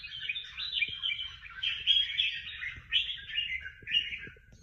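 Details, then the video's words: Award-winning bird in a singing contest gives rapid, chattering warbles in three or four linked phrases, high and bright, over a soft low background rumble. "Những chú chim hót đấu hay nhất và được nhiều giải nhất"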